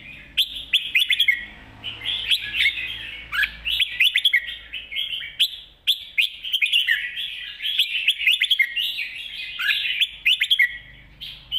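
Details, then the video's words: Spirited master song of a red-whiskered bulbul: dense, continuous run of chirpy whistled notes and rapid warbles, punctuated by crisp clicks, with almost no pauses. "นกกรงหัวจุก ร้องมันส์เพลงแม่บทสับกระจาย"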